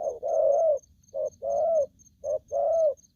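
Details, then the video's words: Low, rough coos from an aggressive spotted dove: a long rolling note, then two pairs of a short note followed by a longer note rising slightly at the end. A faint regular high tick sounds behind. "Bổi thổ tơ hung hăng"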